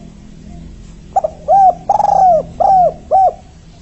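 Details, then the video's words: Spotted dove, called tekukur or anduhur, used as a lure to attract others for trapping; a three-note style cooing series, soft arched coos repeated in quick succession with a short rolled note in the middle, clear and close. "Tekukur 3 Kuk...! Gacor bangat, Berhasiĺ memancing dan untuk Pikat"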